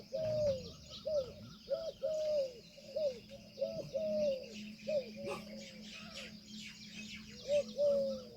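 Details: Indian peafowl calling outdoors: clear mid-pitched paired notes, a short clipped note then a longer drawn-out even tone, repeated about seven times with uneven spacing, over a steady low hum and high chirping of small birds.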